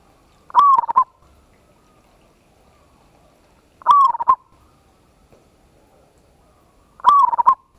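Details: Big-voiced local zebra dove in a ngayer kerot nutut style lure recording for prompting a reply. Three loud rolling, stuttering coo phrases come roughly every three and a half seconds, with quiet pauses between.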